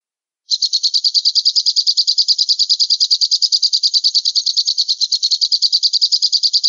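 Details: Falcon (alap-alap) call used as training material for songbirds: a fast, steady, high chattering series of sharp notes, evenly repeated without pause for over six seconds, with no other sounds.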